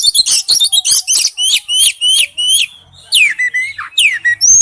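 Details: Loud wild-type song of an Oriental magpie-robin: a quick series of repeated downslurred whistles, a brief pause, then long sweeping falling whistles and a high thin note.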